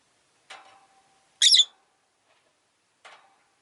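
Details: Rosy-faced lovebird indoors by a window, a lone bird after its partner's death, with a neighbouring cage of two: one sharp, loud rasping chirp between two softer, lower, fading calls.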